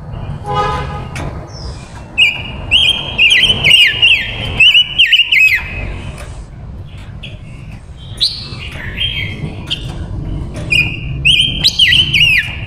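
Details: Female silver-eared mesia decoy singing to attract wild males: bursts of rich warbled whistles with rapid trills and dropping slurs, phrases repeated in groups separated by short pauses, steady low background hum throughout.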